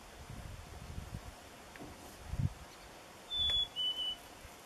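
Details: Chickadee in Nevis, Minnesota, on a morning at 1 degree, gives a clear two-note whistle: a high, pure note, then a slightly lower one. Earlier come low thumps and booms of lake ice forming or cracking.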